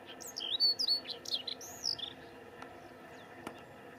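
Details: Siberian rubythroat singing in coastal shrub at Lake Saroma, Hokkaido, Japan, 6 June 2019: a rapid two-second run of sweet whistled slurs, rising and falling, with jumbled twitters, then faint clicks over a low steady hum.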